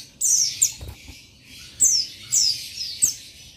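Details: Male Oriental white-eye, race buxtoni, calling to a rival with several bright, high chirps that slur downward, spaced roughly every half second to second.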